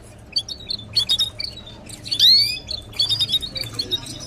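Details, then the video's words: Canary singing at a nest with chicks, recorded as a training song: short high chirps and trills, then a loud bright sweeping note near the middle, followed by rapid repeated twittering phrases over a faint low hum. "Canary nest with chicks eggs and stimulation"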